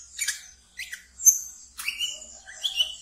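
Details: Captive wiceh singing in the ngeriwik style, used as a lure for training brown-throated sunbirds: high, sharp chirps and squeaky notes in short bursts separated by brief pauses.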